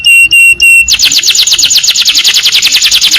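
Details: Canary song from a training recording with long bursts: three long pure whistled notes, then a sustained, very fast high trill of tiny repeated notes that rolls on without a break.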